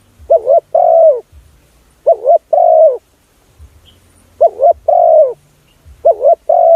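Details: Spotted dove coos used as a lure call to draw in other doves: four phrases, each a quick wavering double note followed by a longer, drawn-out falling coo, separated by pauses with a faint low hum.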